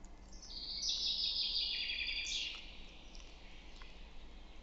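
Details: Male Western capercaillie singing in Lithuania: a sustained high, hissing, scratchy grinding phrase of about two seconds, then near silence.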